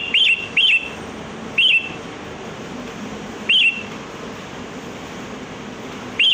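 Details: Sooty-headed bulbul song for luring birds: brief clear whistled phrases, each a quick rising-falling note, repeated at irregular intervals of one to three seconds over constant soft hiss.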